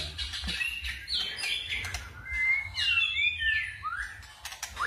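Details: White-rumped shama delivering forest-style song: clear whistled slurs and swooping notes rising and falling, over noticeable broadband background noise and low rumble.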